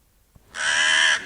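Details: A single harsh, raspy crow caw, drawn out for about half a second, with no other sounds around it.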